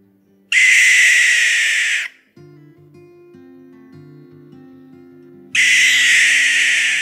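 Two long, harsh, hissing shrieks from a barn owl, each about one and a half seconds, with soft music playing between them.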